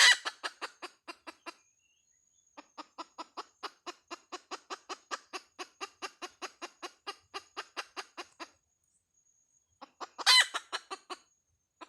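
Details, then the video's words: Hen producing long trains of quick, dry clucks that speed up and fade, opening and closing with louder harsh bursts, and quiet gaps between runs. "Suab poj qaib Dib tsauj"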